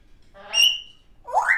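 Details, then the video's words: In under two seconds, a pet baby African grey parrot gives a held, reedy whistled note, then a quick, rough upward-sliding squawk. "doesn’t just talk she makes all sorts of funny noises"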